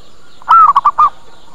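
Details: A single zebra dove lure phrase, played to attract birds and make them respond: a soft lead-in note, one long level coo, then three short rounded coos in quick succession.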